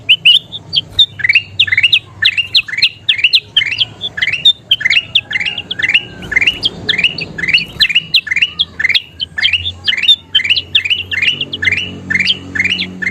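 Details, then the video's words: Busy kutilang emas bulbul chatter used for training songbirds: a long unbroken stream of quick chirps that slide down and up, steady in loudness, with faint rustling beneath. "SUARA KUTILANG EMAS GACOR PALING DICARI"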